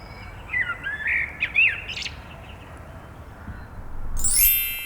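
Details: A Common Blackbird in the city of Neuchâtel, heard evening and morning, often singing from a prominent perch. It gives a brief, mellow, fluted, modulated phrase of rising and falling notes, with a sudden high harsh burst near the end.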